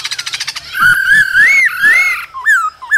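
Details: A cold-season male laughingthrush, singing and dancing with female calls, gives a rapid string of short notes, then long rich whistles that rise and fall smoothly and short upward-curling whistles at the end.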